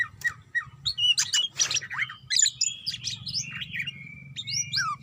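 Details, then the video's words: Greater green leafbird, a female calling for a male, gives a busy medley of chirps and squawky notes, then a long steady whistle crossed by quick upward slurs, with a low hum underneath. "Suara Ocehan Cak Ijo Manggil Lawan"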